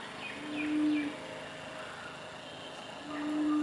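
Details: Low, mellow coos from a Laughing Turtle Dove in Western Australia, two smooth steady notes separated by a pause of about two seconds, with faint high bird chirps in the background.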